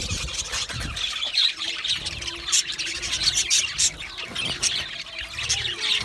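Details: Australian budgies chirping contentedly: scratchy warbling chatter broken by sharp, piercing squeaks every second or so, with a faint low hum behind.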